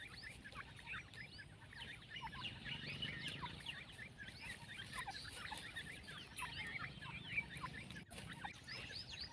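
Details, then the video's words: Partridge chicks, recently hatched, calling together: a dense chorus of many thin, high, rising peeps that overlap continuously, with steady low background hum. "Teetar ke bacho ki awaaz"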